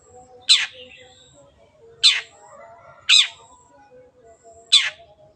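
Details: Long-tailed shrike recording meant to coax silent birds into singing: four loud scratchy notes dropping in pitch at uneven gaps, with soft tonal hum and low murmuring in the background.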